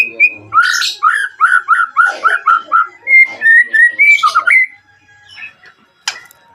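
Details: White-rumped shama song meant to call rivals and stir their emotion and mating drive: rapid series of loud slurred whistles about four per second, then shorter rising notes, fading into quiet with a brief click.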